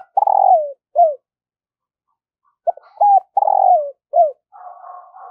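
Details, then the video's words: Morning urging coos from a decoy spotted dove calling in wild doves. Two phrases each hold a long vibrating coo that drops in pitch, followed by a short falling coo. A quieter, steady hum runs at the end. "Tiếng chim cu gáy thúc và gáy gọi bổi vào buổi sáng"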